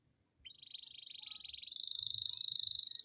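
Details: Canary rolling song meant to spur lazy canaries into singing: one long continuous high rattling roll that begins after a short pause, steadies, then jumps higher and grows louder toward the end.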